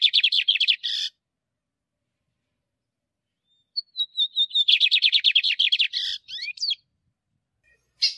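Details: A male lined seedeater sings a rapid, buzzy trill that cuts off, then after silence starts with thin whistled notes. These build into another fast, dense trill ending in sliding twisted notes and a final chip.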